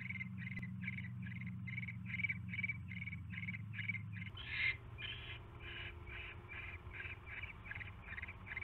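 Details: Barn owl at the nest on 27 January 2016 at 7:24 PM, as a mouse is delivered; rasping, hissing bursts repeat about twice a second, briefly louder mid-clip, over a low steady hum.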